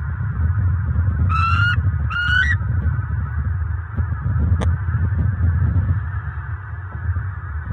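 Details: Bald eagle pair at a nest in Fort Myers, southwest Florida, on October 29, 2022, just after dark around mating, after the pair survived a hurricane: two squealing, slightly rising calls in quick succession over a steady low hum.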